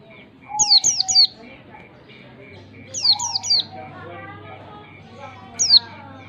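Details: Oriental white-eye in ngalas song style, long standard form, a lure for learning: two clusters of three sharp, high, falling chirps and a lone final note, separated by quiet gaps with soft lower twittering, steady beeps and a low drone.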